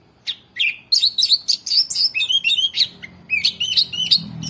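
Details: Varied song of an orange-headed thrush: quick rising and falling whistled notes strung together in a lively, continuous run with sharp chips between phrases.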